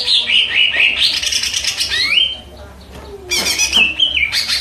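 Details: Varied, rambling song of a cucak ijo (greater green leafbird): warbled high phrases, a rising whistled slur, a brief quiet gap, then scratchy bursts and several stepped, whistled notes.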